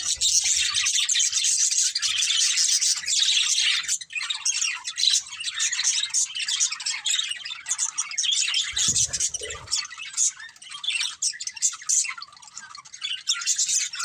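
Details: A family of pet budgerigars chattering, with dense overlapping chirps and squawks filling the high range almost without pause, and a brief low thump near the nine-second mark.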